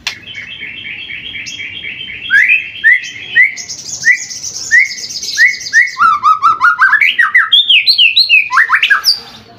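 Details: Seven-month-old white-rumped shama in full, very vocal song: a fast run of repeated chipping notes, then rising whistles, rapid high trills and looping slurred phrases that climb and fall, delivered almost continuously.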